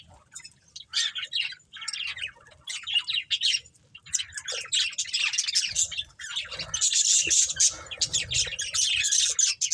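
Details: Budgerigars, a breeding pair and their family, keep up a busy stream of scratchy high chirps and squawky warbles that builds toward the end, with a thicker run of chatter in the last seconds.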